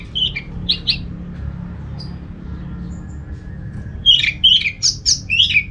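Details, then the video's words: Orange-headed thrush (anis merah) giving short squeaky chirps, then a quick busy cluster of high chattering notes, played to stimulate other thrushes to sing; low hum underneath. "Suara burung ANIS MERAH ini ampuh bikin ANIS Jenis apapun ikut bunyi"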